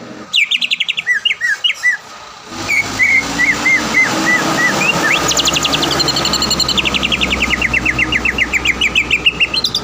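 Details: Training song of a caged greater green leafbird that often wins contests around Palembang. Short whistled notes lead into long, rapid rattling trills, over a constant low hum and background noise.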